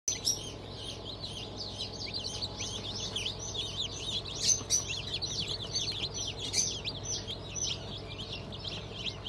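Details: Newly hatched chicks from a 31 May 2023 hatch that includes turkey, Sebright, Sussex and Australorp: a dense chorus of many chicks peeping at once, shrill overlapping high cheeps, with a faint steady mechanical hum beneath.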